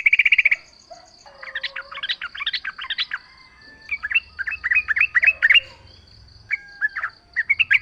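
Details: Yellow-vented bulbul song used as a lure to draw other bulbuls into answering. A short buzzy burst opens, then dense runs of bubbly, chattering chirps in several bursts. A faint steady high tone hums beneath throughout.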